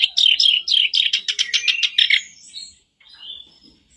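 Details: Lure song of a black-browed reed warbler for prompting a caged bird: about two seconds of rapid, evenly repeated harsh notes, then softer thin whistles fading out.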